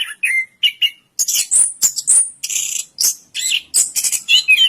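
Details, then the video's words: Orange-headed thrush in long-duration song: a few lower slurred whistles open, then loud, high, ringing and buzzy phrases follow rapidly. "Suara Burung Anis Kembang Durasian"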